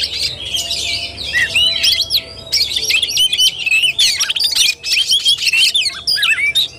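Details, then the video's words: Oriental magpie-robin delivering fighting-style song: rapid varied whistles, sweeping slurred notes and chatters in tight bursts, pausing briefly between phrases. "KACER TARUNG"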